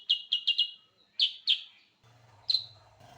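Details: Sooty-headed bulbul giving a quick burst of four chirps, then two louder notes and one more over a low background hum in the final second.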